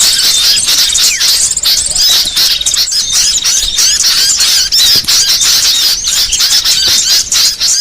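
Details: Small songbird called burcil delivering a varied training song for other songbirds: fast, irregular squeaky chirps about three per second mixed with trills and whistled swoops, steady and loud.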